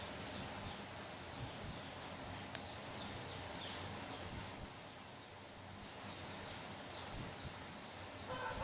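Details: A brood of four captive sooty-headed bulbul chicks, three females and one male, from the Sumbing mountain slopes, gives a run of high, piercing squeaks about every half second, pausing briefly after five seconds.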